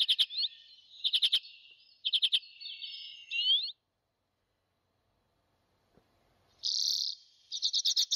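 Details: Arctic redpoll (Acanthis hornemanni) giving high, dry chattering bursts of quick notes, some running into buzzy trills, then a silent pause before more rapid chatter.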